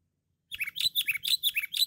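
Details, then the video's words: Sooty-headed bulbul of the cengkram type, described as loud and persistently singing, used as a lure call: a quick run of about eight bubbly, falling whistled notes, each dropping from high to lower pitch, with faint low background hum. "Pikat Kutilang Cengkram Gacor Dor"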